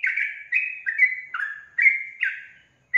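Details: Sooty-headed bulbul in full, lively song: a run of slurred, fluty whistles that waver and drop slightly, given at an uneven pace of roughly one note a second, with short pauses between phrases and no other sounds.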